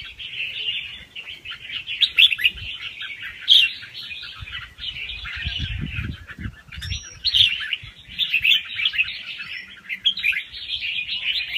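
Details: Soft, fast-paced song from a young wild red-whiskered bulbul, kept to stir up other bulbuls. Rambling twittery warbling flows steadily, interrupted by a short gliding whistle and faint low rustling in the background.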